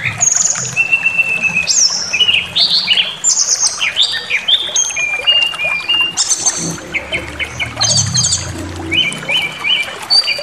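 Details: Brown-chested jungle flycatcher singing a lure meant to stir rivals into aggressive song. A rich medley of high whistled notes, quick upslurs, brief stuttering trills and sustained tones, dense and continuous, with a soft low rumble underneath.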